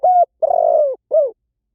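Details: Spotted dove cooing three notes close together: a steady short coo, a long grainy coo sliding down, and a brief falling coo to finish, in a quiet setting.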